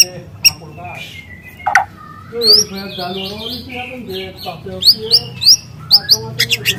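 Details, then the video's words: Free juvenile white-rumped shama singing canary-like phrases: quieter mixed twitters, then a series of sharp upward-flicking high chirps near the end. "Suara asli murai lepas trotol dengan tembakan kenari panjang dan keras"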